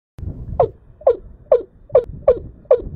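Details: Watercock lured with a female decoy bird: six hollow, slightly descending notes repeated about every 0.4 seconds, with low rumbling background noise.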